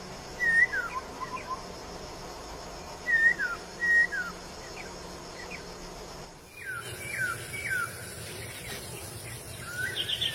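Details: Masked laughingthrush in the wild: short clear whistles followed by falling slurred notes, given in bursts a few seconds apart, with a sudden change in background noise partway through.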